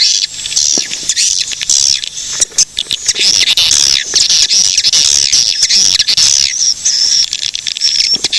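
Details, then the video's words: Swiftlets recorded in Cilacap, Central Java, Indonesia, played as a lure and training sound: dense, high-pitched twittering chirps and squeaky trills, overlapping continuously with constant rapid clicking throughout. "SUARA BURUNG PANGGILAN WALET GACOR"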